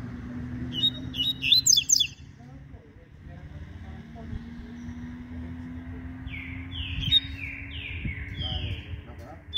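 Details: Double-collared seedeater in the morning, singing in the ziper style: brief high buzzy chirps at first, then a quick run of about five descending slurred whistles near the end, over steady engine hum and vehicle noise.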